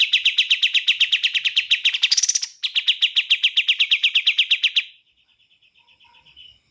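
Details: Bar-winged prinia delivering a fast, regular series of loud clipped notes, about four per second, briefly broken by a higher buzzy note, then a faint trailing buzz.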